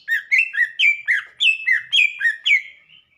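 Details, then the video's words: A greater green leafbird (cucak ijo), played as a master recording for other birds to learn from, sings a quick run of rich, slurred whistles, about three notes a second, swinging between lower and higher pitches; no other sounds. "Cucak Ijo Intinya Bunyi Dulu"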